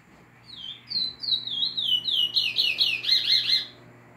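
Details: Chestnut-bellied seed finch, the curió nordestino, singing a fast, continuous phrase of bright slurred whistles, descending notes that speed up and turn buzzier toward the end, over a faint low hum.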